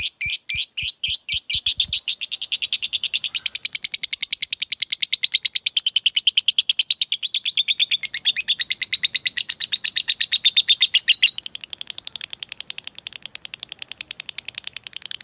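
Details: Lovebird calling a rival with a long chattering series: fast, even, buzzy notes run on continuously for fifteen seconds, high and shrill, slightly wavering in pitch.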